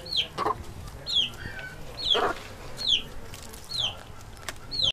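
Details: Chickens eating: high, thin peeps that fall in pitch, repeated roughly once a second, over soft low thumps and scratchy pecking noises.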